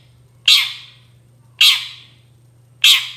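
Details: Lively long-tailed shrike as bait to draw answers from other shrikes: three grating, scratchy squawks, each bursting loudly then decaying, about 1.2 seconds apart, over a steady low electrical hum.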